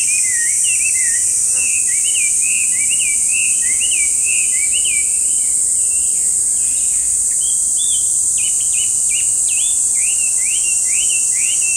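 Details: Chinese hwamei singing noisily in a park, hard to spot though its voice is heard; a long run of repeated whistled notes rising and falling, in fast series with a brief pause midway, over constant high-pitched hiss.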